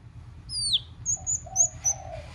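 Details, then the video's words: White-rumped shama singing in several voices to stimulate other birds: a high down-slurred whistle, then thin, very high held whistles alternating with soft low notes, over faint background hiss. "Kích Chòe LửA HóT,chòe lửa hót nhiều giọng"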